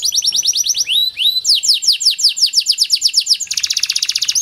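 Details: ['Panda canary song meant to stimulate silent canaries: high rolled notes, two upslurred whistles, a long run of rapid falling chirps, and a closing buzzy trill.']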